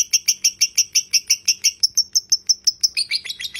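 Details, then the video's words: Lovebird ngekek, kept as tutor audio: clean, high, squeaky notes repeated about five per second in an even string, turning into a rougher, faster jumble at the end. "masteran lovebird ngekek panjang"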